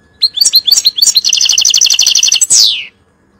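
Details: European goldfinch singing for young birds to learn. Bright twittered notes build into a steady buzzy trill and finish with a steep falling slur.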